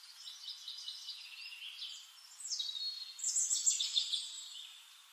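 Prothonotary warbler: bright, high notes in quick series, louder and ringing toward the end, over a faint hiss of background noise.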